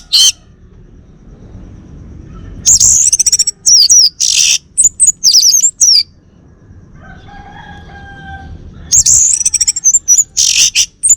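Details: Orange-headed thrush, a male from Bali, sings two dense bursts of high, tumbling notes mixed with rapid trills. A quiet stretch between them carries faint low tones.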